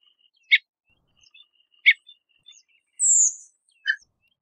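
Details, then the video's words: {'caption': 'Redwing calling: two sharp clicking notes over a second apart, faint soft twitters, then a long piercing high whistle that falls in pitch and ends with a lower chip, in an otherwise quiet background.'} "Red Wing Call - Beautiful Call of Redwing - Redwing Bird Call"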